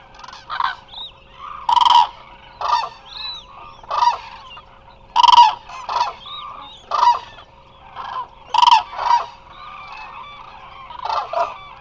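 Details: Lots of Eurasian cranes resting at the Hula Nature Reserve in Israel, heard through a live webcam; separate loud, rolling trumpeting calls ring out every second or two against quieter background calling from the flock.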